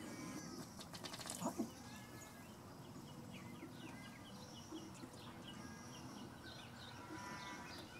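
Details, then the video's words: Ruddy duck in courtship display: a quick burst of dry ticking taps ending in a short low belch-like note, set against steady low rumbling background noise and faint high chirps from other birds. "Ruddy duck courtship display"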